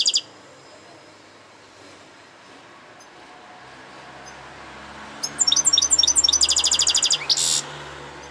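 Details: A European goldfinch gives a brief high note, goes quiet for several seconds, then bursts into fast twittering that closes with a harsh buzzy rattle.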